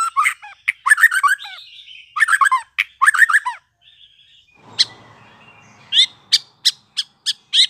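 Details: Newly fledged white-rumped shama giving busy, scratchy chattering phrases with buzzy harmonics and short whistles, then a run of loud sharp ticks over a faint low hum.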